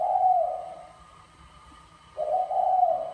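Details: Courting male spotted dove (mã phấn) in bài lối calling style, urging a female: a throaty coo that fades, a short silence, then a new rolling coo phrase.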